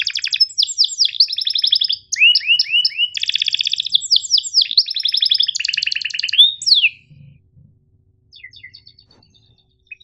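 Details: A canary's long 'cuit ngerol' training song for quiet or young birds: fast repeated curved notes and rattling trills in bursts for seven seconds, then near silence with a few faint high chips.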